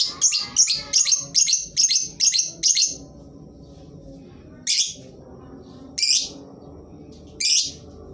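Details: Lovebird song offered as a lure for birds that will not sing: a quick string of about ten loud, shrill chirps over three seconds, then three separate harsh, squawky screeches with quiet gaps between.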